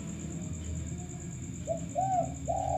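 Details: Vocal male spotted dove heard on a lure recording, starting after a quiet stretch with three low, rounded coos, the last one longest. Steady thin whine and low hum run underneath.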